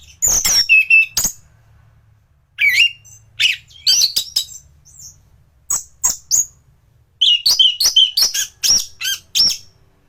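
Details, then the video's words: Anis thrush in top singing form, used to tutor other thrushes: clusters of sharp high chips and short whistled slurs in irregular bursts, separated by brief pauses. "Burung anis gacoran || masteran untuk burung anis"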